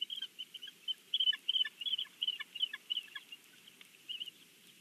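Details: Bald eagle family at breakfast on their Big Bear nest, filmed by a live nest cam: a rapid run of high, thin chittering notes, about three per second, some with a lower, softer echo, above constant faint hiss.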